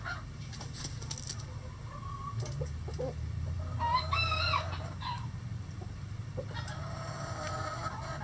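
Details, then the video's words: Rooster crowing in a chicken coop on a sunny day, with chickens scratching; one rising, harmonic crow of under a second midway, among soft clucks, other bird calls and a steady low background hum. "Calm Relaxing Chicken Coop Sounds | Rooster Crowing"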